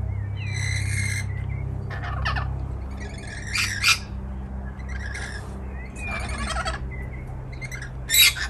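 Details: Wild rainbow lorikeets visiting a balcony in Melbourne, Australia: harsh, buzzy screeches in short bursts every second or two, with a steady low hum throughout.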